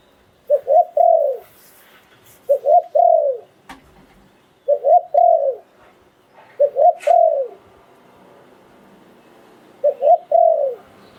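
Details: Spotted dove, a Thai decoy bird used to lure wild doves, sings in the lunging lew-tan style. Five low, mellow phrases of rolling coos, each with a quick double note and then a longer falling coo, repeat about every two seconds.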